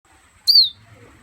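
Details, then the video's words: Pet fire red from Guyana perched in a person's hand gives a single clear whistle, a bright note sliding slightly downward, short and clean against a quiet room. "Fire red, my bird whistling in my hand"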